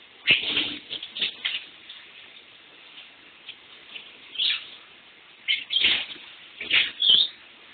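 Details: Lovebird kept indoors gives irregular high, squeaky chirps, some in quick pairs, against the constant rushing hiss of a shower running nearby.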